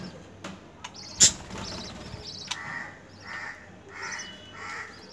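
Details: Budgerigar mother feeding her chicks; the chicks give repeated raspy, buzzy begging calls while being fed.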